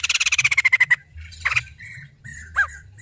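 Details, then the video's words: Female white-crested laughingthrush giving a fast rattling chatter of about a dozen harsh notes that slide slightly downward over one second, followed by scattered shorter squawks. "Poksay Jambul Betina Edan"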